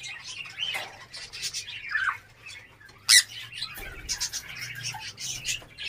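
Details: A captive African grey parrot in an aviary setup in Darbhanga, Bihar, kept with other parrots, gives a sharp, harsh squawk amid a steady stream of high, scratchy chirps and twitters from several birds.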